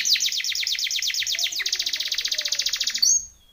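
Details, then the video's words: Timbrado canary training song made of fast repeated downward-sweeping notes, shifting to a quicker, tighter rolling trill and ending with a brief high whistle. "TIMBRADO canary singing / canto Canario cantando / canary training song"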